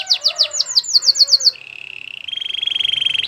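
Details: Canary singing a training song: a roll of loud descending whistled notes, then a soft lower trill that swells into a steady rattling tour held at one pitch.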